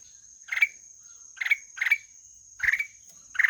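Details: Short rough notes of a black-headed bulbul, each closing with a rising flick, given in irregular pairs and singles over a continuous high-pitched hum and one dull thud.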